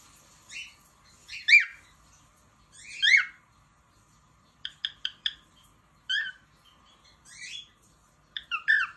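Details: Pet cockatiel singing: bursts of harsh, harmonic chirps and downslurred whistled notes. Short phrases are separated by pauses of one to two seconds, with a quick run of clipped notes midway. The background is otherwise quiet.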